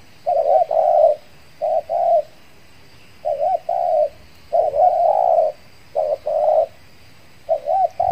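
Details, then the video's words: Decoy spotted dove used to lure wild doves, back out after moulting, in Riau Islands, Indonesia: soft mellow coos in short phrases, a rolling double note then longer level coos, repeated with brief pauses, quiet background. "PIKAT TEKUKUR SI BD SUDAH LAMA TIDAK DI BAWA MELAMAN, AKHIR NYA POINTS JUGA"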